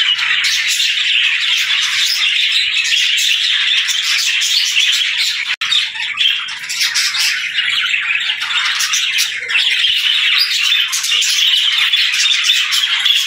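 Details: Several happy budgerigars chirping in the morning as they greet the day, a dense continuous chatter of overlapping squawks, warbles and short chirps with no pause, one sharp click midway.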